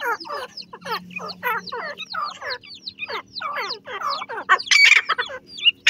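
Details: Teetar (francolin) family: mother calling to her chicks. Rapid series of harsh, chattering notes, about two per second, with higher thin chick-like squeaks mixed in and a faint low hum beneath.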